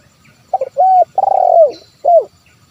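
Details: One 'kuk 1' phrase of a spotted dove, used as a lure to make wild birds call: stuttered double coo, a level coo, a long vibrating coo sliding down, then a short final note.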